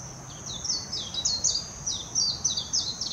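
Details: In Hashimoto, Wakayama Prefecture, Japan, on 26 June 2021, a warbling white-eye sings quick, high, twittering phrases of descending notes in two or three bursts, over a steady shrill background hum; filmed with a Nikon Coolpix P900.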